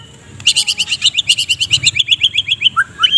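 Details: Medan white-rumped shama, a captive bird, delivering a steady chattering kretekan of rapid stacked high notes about four per second, ending in a falling whistle and a rising note; morning song meant for training other birds.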